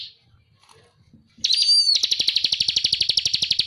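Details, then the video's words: Masteran training recording of a bar-winged prinia singing actively. After a near-quiet start, a loud rising whistled note leads into a fast, regular rattle of high chip notes. "Masteran burung ciblek kristal gacor"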